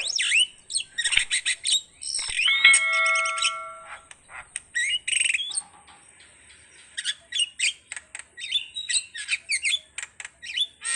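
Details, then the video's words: Starling singing a varied, fast medley of harsh squawks, buzzy chatter, short chirps and a few clear held whistles, with bursts broken by short pauses; a steady high thin tone runs throughout. "suwara //burung jalak//"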